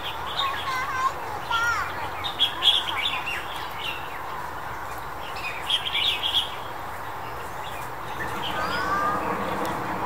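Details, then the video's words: Red-whiskered Bulbul, January 2021, giving bright, liquid chirps and short warbled phrases in irregular bursts, over a steady hum of background noise and faint voices. "紅耳鵯 Red-whiskered Bulbul"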